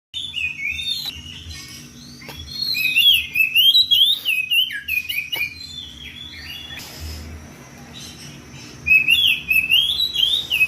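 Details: Oriental magpie-robin singing in the loud ngeplong style to call a rival: bursts of bright, slurred whistled phrases with sharp rising and falling notes, a quieter stretch mid-way, then another vigorous burst; a low steady hum underneath.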